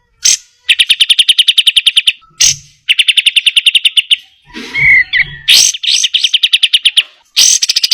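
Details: Kapas tembak, the cream-vented bulbul, delivering tight trills for training; series of rapid, evenly spaced chipping notes, each run lasting one to two seconds, with a brief low thump and short whistle between runs.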